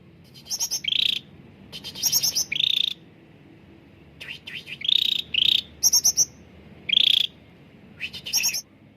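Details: Clear-voiced caged bulbul song meant to coax reluctant birds into singing. Clustered buzzy trills alternate with higher, sharper notes in groups of two to four, then short silences, over a faint low hum.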